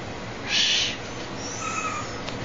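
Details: A captive juvenile Tengmalm's (boreal) owl, playing with a person's hand, gives one harsh, hissing rasp lasting about half a second, followed by faint background hiss and a thin, high tone.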